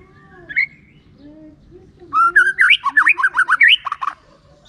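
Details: White-rumped shama lure song in the clear 'ngeplong' style, used to make reluctant shamas answer: a lone whistled note, a short gap, then a rapid two-second string of zigzag whistles rising and falling.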